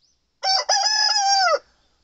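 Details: Young male Satsuma chicken, seven months old, giving one of several morning crows: a sudden loud opening syllable, short gap, then a long steady drawn-out note that drops away at the end, followed by quiet.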